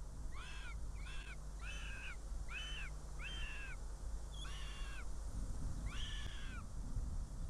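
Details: Northern goshawk at a nest in Riga, Latvia, 19 June 2017 at 14:59, as the female Margo brings prey and flees from her chick: seven clear, slightly arched mewing wails about a second apart over a low hum.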